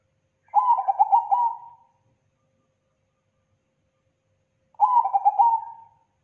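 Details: Zebra dove cooing as a lure, in a thick, loud, clean style: two matching phrases of rapid, rippling notes about four seconds apart, each tapering off at the end.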